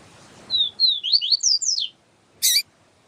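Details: Papa-capim siu-siu (yellow-bellied seedeater) melody, with a female calling to stimulate the male: thin level whistles leading into a rapid run of rising, slurred high notes, followed by a sharp click.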